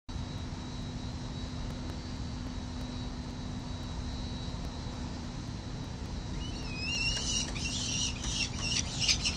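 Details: Peregrine falcons at a 367 Collins St. nest ledge, 17 November 2024, on a nest camera, with parents flying near to urge the youngest chick to fledge. Steady low city hum for six seconds, then rising harsh whistled calls and rapid chattering bursts.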